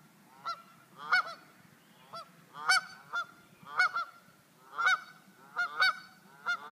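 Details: Geese on adjacent rooftops trade calls: loud, nasal, slightly rising honks, often doubled, around ten in under seven seconds, over a soft low rumble.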